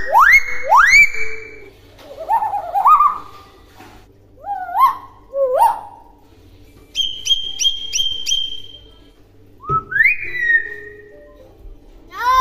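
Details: Tame talking common hill myna produces a varied string of clear whistles: upslurred notes, lower warbled phrases, a quick series of short high level pips, and a final rising and falling whistle, with quiet pauses between.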